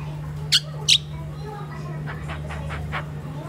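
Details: Pet crested myna kept at home in the Philippines, described as a mimic bird, gives two loud harsh squawks in quick succession, followed by a few faint short chirps over a steady low electrical hum.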